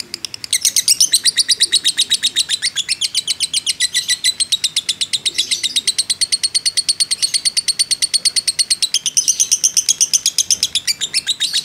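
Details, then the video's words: Unbroken long ngekek from a fighter lovebird, recorded as a lure to provoke others: after a brief quiet start, a sustained high, raspy chatter of quick even pulses runs for over ten seconds with little change. "pancingan lovebird JITU emosi ngekek panjang"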